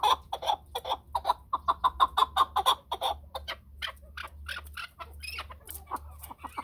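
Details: Chukar partridge calling in a quick series of clucking chuk notes for about three seconds, then breaking into scattered, uneven notes that fade and grow irregular.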